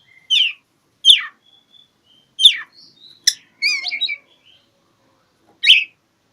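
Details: Oriental magpie-robin (kacer) singing to find an opponent: steep descending chips every second or so, a quick trilled flourish midway and a last loud chip.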